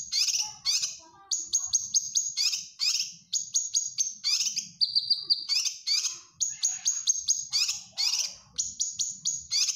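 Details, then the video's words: Caged-bird training song of the grey-cheeked bulbul (cucak kinoy), in gacor form: fast clusters of high sharp chirps, a short steady whistle midway, then more chirp bursts. "Cucak Kinoy Gacor Masteran"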